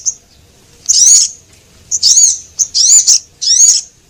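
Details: High, thin Javan munia lure calls from a male and female: a faint first note, then four loud wavering chirps, with closer, quicker notes in the second half.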